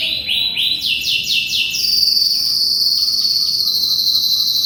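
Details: Canary song used as tutoring for a magpie-robin: a quick rising trill of repeated notes, then a long, steady, very high buzzing note held to the end.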